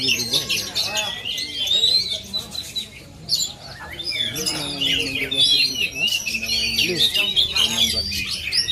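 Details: Oriental magpie-robin native to Aceh, Indonesia, singing a dense run of high, varied whistles, sharp chirps and short rising and falling notes, with a brief pause midway, over steady background human speech.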